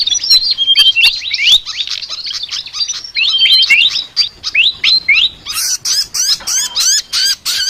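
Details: Flycatcher (sikatan) in lively chattering song, called very unique: dense run of quick whistled upslurred and downslurred chirps, high and bright, ending in evenly spaced sharp rising notes about every quarter second.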